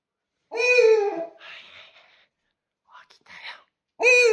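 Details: Pet owl indoors, calling at a Rilakkuma plush toy: a long rasping harmonic call, faint whispering, then the start of another call.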